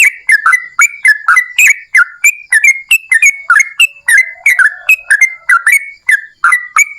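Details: Lively yellow-vented bulbul in the long, rapid ropel panjang style, played to set other bulbuls singing: a dense, unbroken stream of chirpy, slurred whistled notes, roughly three per second.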